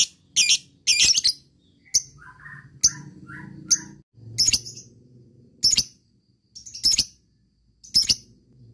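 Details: Lovebird lure calling: scattered sharp high chirps about once a second, with softer lower warbling notes between them.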